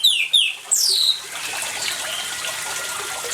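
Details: Orange-headed thrush song mixed with water sounds, meant to prompt quiet birds to sing: three sharp whistled slurs open the recording, then a steady splash and hiss of flowing water fills the rest.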